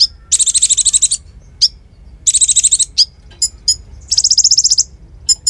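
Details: Konin in full song, used to teach songbirds. It gives three bursts of fast, high, buzzy trills separated by quick sharp chip notes. The setting is quiet.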